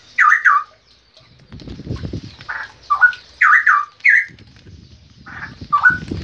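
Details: Straw-headed bulbul pouring out mellow, gurgling whistled phrases in loud bursts, while a low rumbling noise sounds between the notes.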